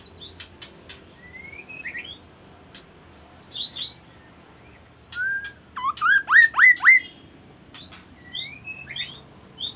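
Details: Magpie-robin singing: scattered whistled notes and high upslurs, then a loud run of five quick rising whistled sweeps near the middle, followed by thin high slurred notes, with sharp clicking ticks in between.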